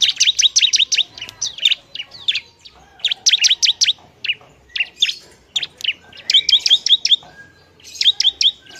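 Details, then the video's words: Ciblek (bar-winged prinia) song meant to anger other prinias: repeated rapid volleys of sharp, high chirps, five or six per run, with short pauses between runs. "TERBAIK suara ciblek RIBUT bikin emosi ciblek bahan"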